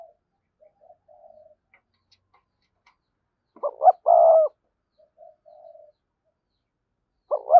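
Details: Cooing of a spotted dove used to lure wild doves: a soft distant coo, then a louder phrase of quick rising notes and a drawn-out low coo, another phrase starting at the end.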